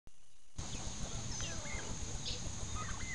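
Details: Midget White turkeys outdoors on a sunny morning, giving a few short, faint, bending call notes scattered through the clip over a constant heavy low rumble of wind or handling noise.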